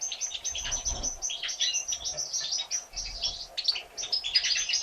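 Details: Three European goldfinch chicks a day old, hatched on 1 April 2017, fed by the mother: insistent high-pitched chirps in a near-constant chatter, some notes sliding downward, with a little low rustling.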